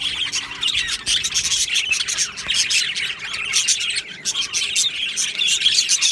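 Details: Colony of Australian budgies in an aviary on 22 June 2025 with a steady flock chatter: fast, scratchy chirps and warbles overlapping without a break, all high-pitched and busy throughout.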